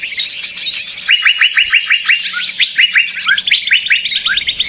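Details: Many small birds chatter together in a trapping lure recording, a busy layer of high twittering with rows of short, rapid downward chirps repeating through the middle.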